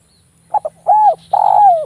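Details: Lure call of a Javanese zebra dove, sharp and tightly packed: a fast stuttered pair of notes, one smooth arched coo, then a long vibrating coo that drifts downward. Clean recording with little background.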